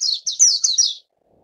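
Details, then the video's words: Japanese white-eye chicks at feeding time, a short burst of shrill, high, buzzy begging chirps in three or four rapid pulses, then silence. "綠繡眼-育雛/Japanese White-eye-Feeding chicks"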